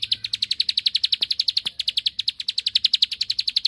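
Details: Bar-winged prinia, the rice-field form, singing a 'ngebren' song meant to provoke a rival into answering: a fast, even run of high, sharp ticking notes, about four per second, going on throughout with no pause, plus two faint clicks.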